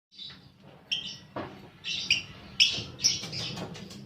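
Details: Lovebird lure recording used to stimulate fighter lovebirds, with scattered harsh chirps and squeaky bursts spread through the clip over a steady low hum.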